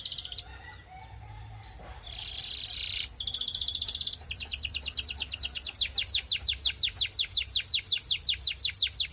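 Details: Belgian canary singing, kept to make other canaries sing: opening buzzy trills and sweeping notes, then a long run of rapid repeated high downslurred syllables, roughly three per second, steady and bright.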